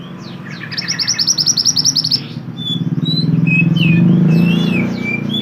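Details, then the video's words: Pied triller (mantenan) singing as a training model for songbirds: a fast pulsing trill of about a dozen notes, then a loud engine-like rumble with scattered high chirps on top. "mantenan gacor burung masteran / chirping sound bird"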